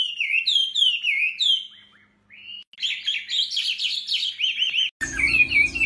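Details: Male hwamei singing after being lured by a female: rapid whistled slurred notes, then a short gap followed by a denser warbling stretch, ending abruptly in a burst of broadband noise.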